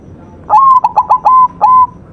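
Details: Perkutut putih, a white zebra dove, sings one clear phrase on a master recording: a rising coo, three short clipped beats, a long held note, then a final rising coo.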